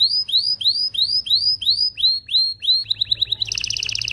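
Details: Excited canary song used to stimulate mating in males and females: repeated rising upward-curved whistles, about three per second, quickening into short notes and then a fast buzzy trill.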